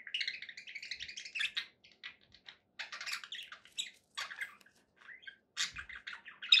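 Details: Happy pet budgies chattering in short, scratchy warbled bursts with brief silent gaps between, high-pitched squeaks and chirps interleaved, clean background.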